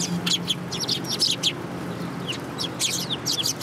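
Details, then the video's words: A group of urban sparrows gathers for food on 30 November 2015. Bursts of sharp, high chirping come in clusters, with a brief quieter gap midway, over a faint low hum. "想い出の都会の雀達 3 2015年11月30日 （餌を貰いに来る雀達）"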